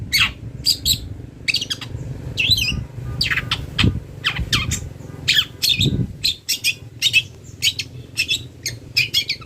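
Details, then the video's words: Master recording of a long-tailed shrike for songbird training: rapid harsh squawks and scratchy chirps in irregular bursts, with a few dull low thumps and a steady low rumble underneath. "CENDET GACOR BONGKAR ISIAN"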